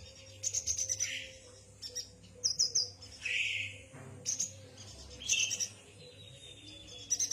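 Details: Yuhina singing: bursts of thin, very high chirps and trills, some with quick sliding notes, interspersed with rougher, lower buzzy bursts and a long faint descending whistle, over a steady low hum.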